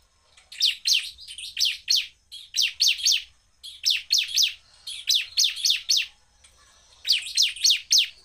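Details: Bar-winged prinia, a caged songbird singing with full power at high speed, said to provoke other prinias: quick bursts of three to five sharp, high chirps that drop steeply in pitch, repeated in clusters with brief pauses.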